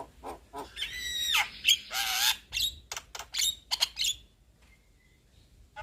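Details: Young Javan myna, kept as a cage bird, in energetic full song: harsh squawks, rasping bursts and clicks mixed with sharp high whistles and a drawn-out falling note, then quiet.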